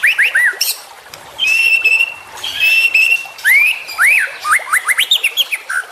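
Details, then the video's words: Juvenile white-rumped shama singing in a tutor recording for training songbirds: clear rising and falling whistles, a sustained high whistle, then quick slurred upward notes and sharp chips in varied phrases. "MASTERAN Trotolan Murai Juara Supaya Cepat Rajin Bunyi & Gacor"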